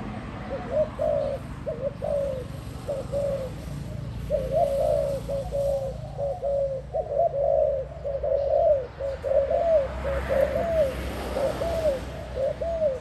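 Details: Spotted dove giving a long, busy run of mid-pitched coos that overlap almost continuously for about thirteen seconds, over low background hum.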